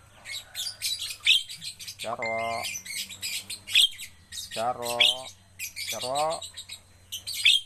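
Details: A captive Javan myna being trained to sing more readily gives a harsh, scratchy run of chattering squawks and high chirps while a man repeats a short word three times over it.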